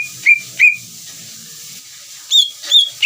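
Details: Greater green leafbird calling to provoke another leafbird: a few separate, ringing whistled notes, two early and three later at a higher pitch, with steady hiss and faint low rumbling between them.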